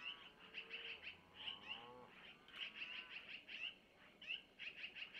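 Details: Nest-cam recording of long-eared owl owlets near Missoula, 25 April 2024 at about 05:05, being fed by their mother after she takes prey from the male; rapid high chirping series plus a few lower tonal wavering calls.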